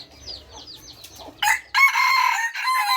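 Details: Crow of an F3-generation red junglefowl breaks in loud and abrupt after a quiet stretch of repeated small-bird chirps, then holds as a raspy, sustained cry to the end.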